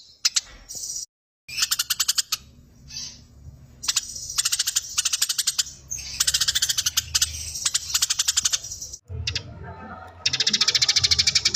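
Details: Eurasian tree sparrow fighting, giving irregular bursts of rapid, harsh, high chirps in rolling runs with short gaps. A denser, buzzier chatter closes the sequence.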